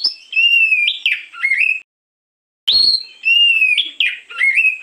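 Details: Singing oriental magpie-robin in the morning, used to lure: two bursts of loud, clear whistled phrases with quick up-and-down slurs, separated by a short dead-silent gap.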